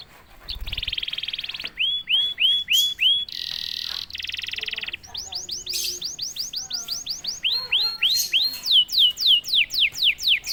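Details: Song of a canary coaxed into singing, varied phrases including a buzzy trill, bouncy rising whistles repeated about every quarter second, a loud hoarse buzz, then long series of quick upslurred and downslurred notes.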